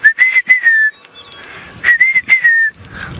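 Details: Rufous-naped lark (Mirafra africana) calling on an 8 AM sunrise safari drive, 13 June 2017, with larks calling all over the area: two clear, slurred whistled phrases of sweet notes, faint clicks and distant birds behind.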